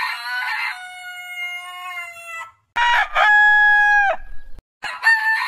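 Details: Rooster crowing from a heritage-breed compilation: a long crow with a rough start and a long level tone, then a loud crow with a held note dropping at its end, and another beginning.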